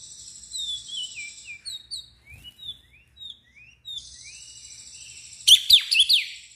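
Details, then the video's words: Oriental magpie-robin, agitated and opening its tail, sings a series of short, falling whistled slurs spaced about half a second apart, ending in a loud, harsh burst of rapid notes. "KACER gacor NGEPLONG emosi DAN BUKA EKOR"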